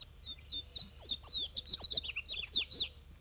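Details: House finch in Arizona, a species with specific local dialects; this male has his own innovative song: a fast, jumbled warble of high slurred, twisting notes for about two and a half seconds, with faint low chirps behind.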